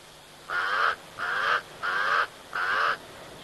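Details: Pied crows at a waterhole on 6 September 2023: four harsh, nasal caws, each about half a second long, spaced roughly every second against a quiet background.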